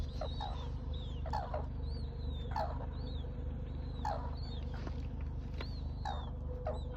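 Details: Red-crowned crane calling in short, rasping bursts at uneven intervals of one to one and a half seconds. Thin high whistled notes from other birds drift between them over a constant low droning hum.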